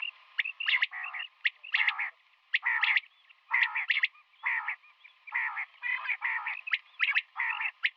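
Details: Morning calls of a female common quail: dense, rasping buzzy bursts in a steady rhythm, several per second, mixed with sharp high clicks and brief whistles.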